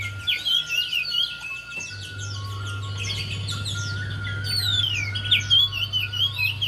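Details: Javan white-eye song played as a lure to prompt a quiet bird to sing: dense, rapid high twittering and warbling phrases, with a steady low hum and a constant tone underneath.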